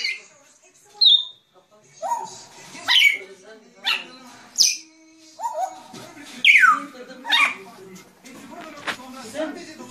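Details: Grey parrot giving a series of harsh squawks and rising and falling whistles, spaced irregularly a second or two apart, with some notes sliding sharply downward.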